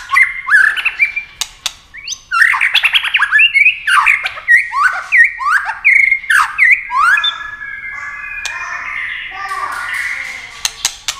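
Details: White-rumped shama in rapid competition singing with wing flicks and tail play: a long run of varied swooping whistled phrases and harsh notes, punctuated by sharp clicks, fading into softer chatter.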